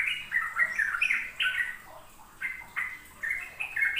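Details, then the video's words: Sooty-headed bulbul singing 'ropel' to lure young birds into learning. Bursts of warbling, slurred notes are broken by brief pauses, with quieter phrases toward the end over light background noise. "Pancingan trucuk agar trucukan BAHAN PAUD ikut belajar ropel"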